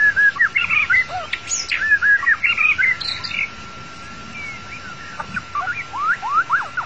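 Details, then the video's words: White-rumped shama of the long-tailed type, its song serving as a trapping lure: quick bursts of chirpy, varied whistled phrases, loud at first, then a quieter middle, ending with upward-sliding notes over a constant hum. "Cara mudah memikat burung murai batu ekor panjang"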